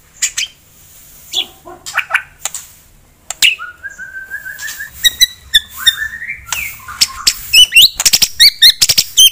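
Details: White-rumped shama delivering a rival-provoking song with filler phrases: scattered chips and short whistles, then a long level whistle, followed by quick, varied, sharply bent notes that come faster toward the end.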